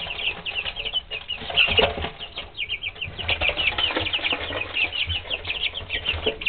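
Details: Three-week-old pet chicks calling as a group, a continuous stream of sharp little peeps at high pitch, bursts crowding together now and then, with low rustling and bumping underneath.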